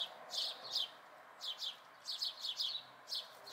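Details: House sparrow fledglings, watched through a week in May 2020, give rapid paired chirps, harsh and slightly buzzy, in bursts separated by brief gaps, over low steady background noise.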